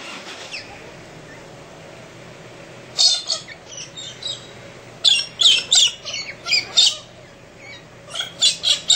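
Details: Galahs in central Australia's outback at early morning, screaming and mucking around; harsh, broad rasping screeches come in irregular bursts, first a lone one, then a fast ragged run of about eight calls after a short quiet spell.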